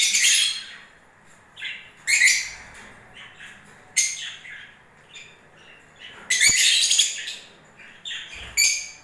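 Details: Lovebirds during breeding season giving separate sharp, squeaky chirps and short shrill bursts about every one to two seconds, with quieter twitters between them.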